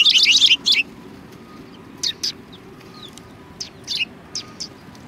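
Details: Sparrows at a Japanese Tenmangu shrine in February 2020: a dense flurry of high chirping opens, then thins to scattered single chirps spaced about half a second to a second apart.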